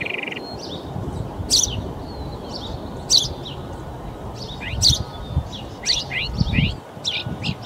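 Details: Northern Mockingbird in a park in Folsom, California, on March 21, singing a varied string of sharp, high phrases copied from other birds, a new burst every second or so, over low background rumble.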